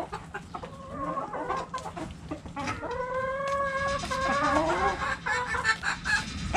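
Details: Backyard flock playing cabbage volleyball, clucking in quick irregular runs with a long wavering squawk in the middle, many birds overlapping.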